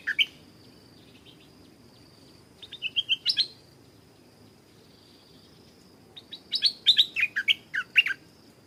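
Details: Stripe-throated Bulbul at a canal, where a wild bird flew across to fight a caged young decoy bird; scattered bright notes, a short rising run, then a dense cascade of sharp, bubbling chirps.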